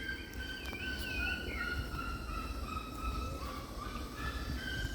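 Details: At Bosque dos Jequitibás in Campinas, Brazil, a red-legged seriema gives loud, ringing yelps that waver and loop in pitch, over a steady low rumble of wind and handling noise.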